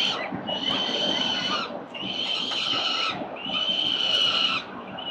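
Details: Peregrine falcons feeding four chicks at breakfast at a city building nest in Victoria, Australia, on 4 November 2021, filmed by CCTV. Three long, harsh, rasping screeches of over a second each are separated by short pauses.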